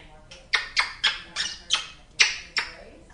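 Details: A female pet African grey parrot at home in Texas, a talking bird, gives harsh, raspy squawks, about seven short bursts at an uneven pace over three seconds.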